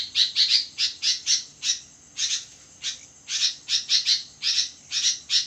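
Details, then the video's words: Midnight song of a sooty-headed bulbul in full voice. Loud raspy chirps come in tight clusters of two to four, broken by short silent gaps, all at a high, steady pitch. "burung kutilang gacor di tengah malam"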